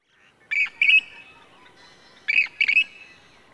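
A Western Grebe gives two harsh, grating two-part calls, 'krrik-kreek', about two seconds apart, each ending in a drawn-out rasp.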